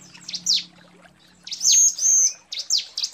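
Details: Female bar-winged prinia calling the male: high falling chirps at first, then two longer thin whistled notes, followed by more quick sharp chirps.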